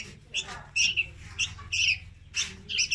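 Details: Young red-whiskered bulbul used as a trapping lure, singing short bright chirpy phrases in quick bursts about every half second, with a low steady hum underneath.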